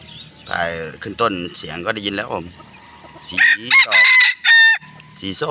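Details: Bantam chickens crowing loudly on a hot evening: strong harmonic, wavering phrases that rise and fall, repeated in quick bursts with brief pauses, while young chicks gather nearby.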